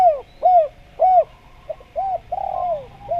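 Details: Energetic spotted dove (derkuku, tekukur) cooing for luring wild doves: a rhythmic run of hollow, arched coo notes, some short and clipped, ending with a longer drawn-out coo, over a faint low background hum.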